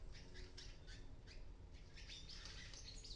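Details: Palm tanager fledglings, hatched in an oregano plant on a ninth-floor apartment in Medellín, Colombia, taking first flights. Harsh, squawky bursts repeat irregularly through the clip over a steady low rumble of background noise.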